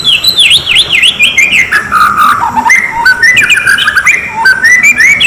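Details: Lure recording of an oriental magpie-robin, a mix of female lure sounds and fighting calls meant to provoke males: loud, varied clear whistles, quick rising and falling slurs, and rapid chirping phrases in a continuous stream.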